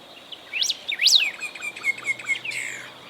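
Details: Golden-billed saltator singing in Esperanza, Santa Fe, Argentina, in 2020: a series of clear whistled notes, some sharply rising then falling, others short and slurred, with faint background hiss.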